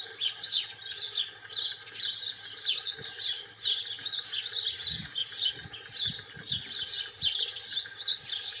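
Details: Wild European goldfinch, British subspecies, singing in the wild: a continuous rapid twittering of bright, tinkling, high notes in quick jumbled phrases, with slight swells and dips in loudness and some soft low thumps.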